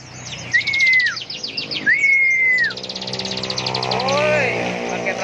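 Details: Ciblek (bar-winged prinia) giving ngebren song: two long falling-ended whistles, then a dense continuous trill of high rattling notes, with lower chirps and a man's Indonesian encouragement mixed in.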